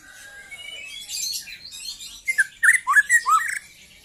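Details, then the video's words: Song of a young white-rumped shama, opening with softer warbled and buzzy notes, then a burst of loud, sharply inflected whistles and squeaky phrases delivered rapidly near the end. "KICAU BURUNG MURAI MUDA"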